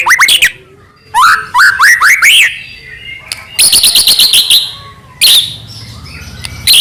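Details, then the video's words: White-rumped shama of the Medan type, a captive bird singing nonstop as a lure to set other shamas singing: bursts of steep upswept whistles and rapid chattering trills, separated by short pauses, with a faint low hum behind. "murai batu gacor AMPUH buat PANCINGAN murai batu agar bunyi"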